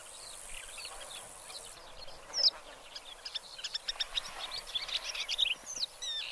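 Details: Black lark song starting faint and distant, then growing into quick repeated high chirps and thin rising whistles in the second half, with soft outdoor hiss throughout.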